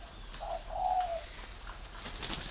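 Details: A captive pink-colored male spotted dove with red eyes and red legs gives a soft, hollow coo: a brief note, then a longer, steady hum that sags slightly at the end, followed by a faint high chirp over quiet hiss.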